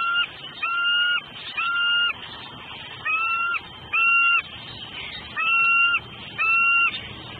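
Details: Female bald eagle on a southwest Florida nest calling out before the male delivers food; repeated high, squealing notes about once a second, each flat with a slight downturn at the end, over a constant low hum.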